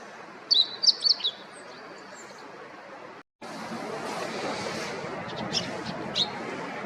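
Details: Eurasian Tree Sparrow giving a quick run of bright, high chirps near the start, then a break and a few fainter chirps later against a constant background hiss.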